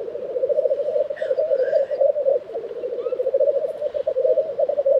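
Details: Lekking black grouse recorded in April 2023 at Tiveden, Sweden, keep up an unbroken throbbing, cooing bubble, with brief soft whistles of another bird in the background.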